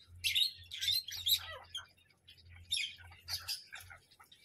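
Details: Parrot letting out rough squawking bursts, a busy run at the start then a pause and another cluster of harsh notes, with a quiet low hum throughout.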